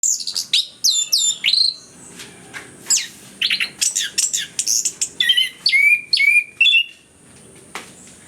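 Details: Orange-headed thrush singing steadily, used as a lure recording to get reluctant birds to sing: a dense run of varied, high chirps, trills and short whistled phrases in quick bursts, several clear rising whistles near the end.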